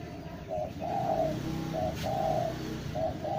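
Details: Spotted dove calling: a run of low, hollow cooing notes, short ones alternating with longer drawn-out coos, repeated steadily over about three seconds above a faint low background rumble.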